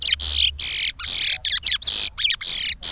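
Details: Chestnut-bellied seed finch giving Pará Regional song for teaching chicks, heard as loud, harsh, broad bursts with short gaps between them, separated by brief silences.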